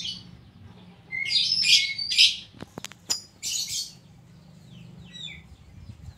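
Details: Oriental magpie-robin (kacer) in full song, with its song filled with koslet imitations: three or four dense, scratchy, high bursts broken by sharp clicks, trailing into faint chirps over a low steady hum.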